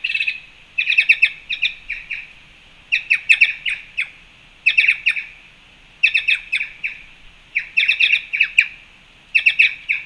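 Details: At a Panama fruit feeder on March 2, 2021, black-chested jays give loud, harsh squawking notes in rapid clusters of three to six, the groups repeating about every one to two seconds without pause.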